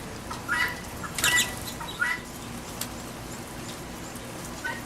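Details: Backyard feeder in rain, a guinea hen letting out three harsh squawks early on, then a faint later call, mixed with patter and rain hiss.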